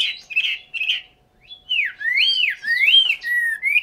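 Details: Caged Chinese hwamei in Hanoi, Vietnam: a few short warbled notes, a brief gap, then long, clear whistles swooping down and up in smooth arcs.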